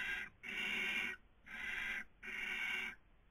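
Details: Three long, loud breathy screeches, each under a second with short gaps, from a barn owl on a nest webcam in Cabañeros National Park, Castilla-La Mancha, Spain, during the 2020 breeding season.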